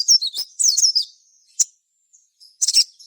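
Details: Energetic sogon song used to make other sogon sing: a quick cluster of very high, twisting chirps, a lone sharp note, a brief gap, then another dense burst of shrill chips.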